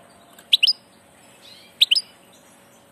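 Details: Migrating European goldfinch giving brief double and triple chirped calls spaced over a second apart, with quiet pauses between.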